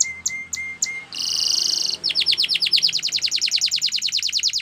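A Timbrado canary sings in distinct tours: four clear high whistled notes, a dense buzzing roll, then a long run of quick metallic chips several per second.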